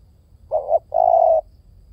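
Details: Spotted dove giving a single soft cooing phrase: a short swelling coo that rises at its end, then a longer, steady, slightly wavering coo, with quiet low background hum.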